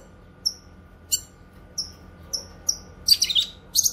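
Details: Grey-cheeked bulbul (cucak kinoy), a recording for tutoring cage birds and luring wild ones, giving isolated piercing high chips with falling tails about every half second, ending in a tangled burst of buzzy, jumbled notes.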